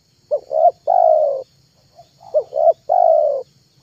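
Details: Cooing of a spotted dove used as a lure for wild doves: two identical phrases, each two quick short coos followed by one longer falling coo, separated by a brief soft note, over a low steady hum.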